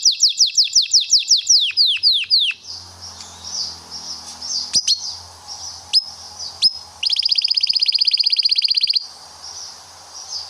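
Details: Canary singing for song tutoring: a run of about a dozen quick descending whistled notes, scattered sharp chips, then a dense, fast, high trill lasting two seconds before fading to sparse notes.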